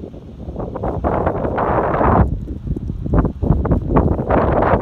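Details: Crunching footsteps or rustling in snow come in irregular bursts over wind noise, with a brief quieter gap midway and no animal call.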